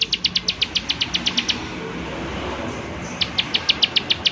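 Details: 'Klik klik' calling from a prinia: a quick run of sharp, high clicks, a pause of over a second, then another clicking burst, with low ambient noise.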